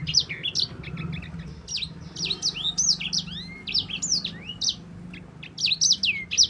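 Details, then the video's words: Sanger, or yellow-fronted canary, singing a long rolling song meant as a tutor track for songbirds: rapid, lively strings of bright whistles, quick slurred notes and twittering chips with barely a pause, over a soft low hum. "Kicau burung sanger gacor ngerol panjang cocok untuk pancingan dan masteran."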